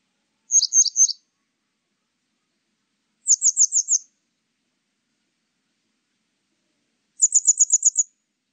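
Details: Grey wagtail giving three bursts of thin, sharp high notes, a doubled-note group followed by two rapid runs of six to eight ticks, several seconds apart in silence.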